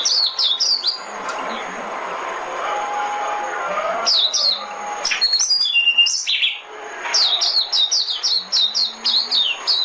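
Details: Decoy song of a white-eye, played to attract birds into traps: fast runs of sharp, high downslurred notes repeated several times a second, broken by a pause of murky hiss before the bright series resumes.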